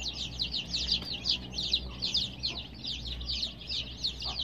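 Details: Many baby chicks, colored and kept with heat provided, chirp in a dense chorus of high, downward-sliding peeps, overlapping rapidly at roughly two to three calls per second, with a low steady hum underneath.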